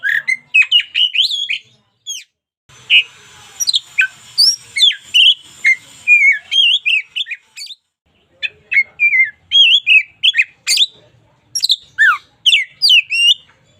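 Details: Oriental magpie-robin of a local strain, singing actively in a daily tutor recording: a continuous run of varied whistled notes, some rising and some falling, delivered at roughly two per second with brief breaks.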